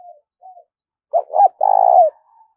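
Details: Spotted dove coo for training decoy birds: two faint soft notes, then a loud hooked double note and a long buzzy, pulsing coo falling slightly at the end, with a faint trailing note.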